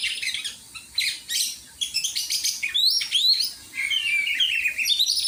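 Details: Oriental magpie-robin during song training, pouring out high buzzy trills, sharp chirps and loud whistled slurs in quick succession with brief gaps.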